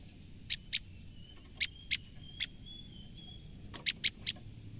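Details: Scared female olive-backed tailorbird uttering sharp, high, clipped notes in pairs and small groups, with a faint thin whistle and low hum in the background.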